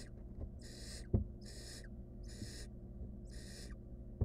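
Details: A wild barn owl nestling attempting to eat a stolen rodent alone in its monitored nest box utters four long rasping hisses about a second apart, with sharp knocks between them and a low hum beneath.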